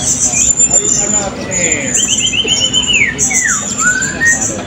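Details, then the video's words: Blue-crowned hanging parrot, called Serindit, at a 2024 open songbird competition in Balingian: thin high sibilant notes run steadily over sliding, descending whistles and a buzzy rising-falling phrase, with voices and crowd chatter beneath. "Burung Serindit B - Pertandingan Seni Suara dan Gaya Burung Berkicau Terbuka 2024 Balingian"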